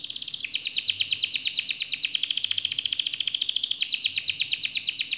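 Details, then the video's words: Canary singing a long rolling trill meant to stir silent canaries into song: dense high rapid notes about three per second, broken into pulsed rolls, with slight shifts in tone. "Kenari malas dan macet bunyi langsung nyaut,seketika dengar suara kenari gacor ngerol panjang ini"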